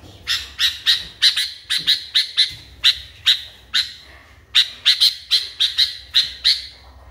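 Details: Sooty-headed bulbul, caged, calling agitatedly: sharp bright chirps repeated in quick pairs and runs, about twenty notes over seven seconds with a short pause midway, against a faint low hum.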